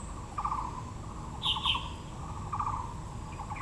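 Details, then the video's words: Taiwan blue magpie in Yangmingshan National Park's Yangming Park, Taipei, near azaleas: two short pulsed rattles framing a pair of loud, higher-pitched squawks, then more soft chatter over steady hiss. "(藍鵲+杜鵑花)(Natural sound)"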